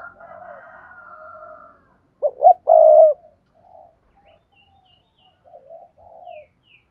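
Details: Spotted dove cooing to prompt other doves to call: a soft wavering coo, then two short notes and a long steady low coo, followed by faint scattered cooing.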